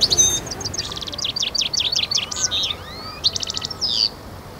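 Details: European goldfinch from Constantine, Algeria, singing in the khalwi style, recorded in 2012. The song is a rapid, high, tinkling run of buzzy trills and twitters, with quick rising and falling slurred notes.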